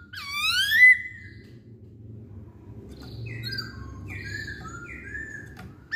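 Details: Masked laughingthrush song meant to draw other songbirds into singing: one strong upslurred whistle, then softer short whistled notes at varied pitches over low hum.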